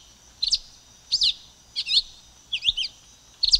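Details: Silver-beaked tanager sings high, twisting doubled chirps, five bursts spaced under a second apart.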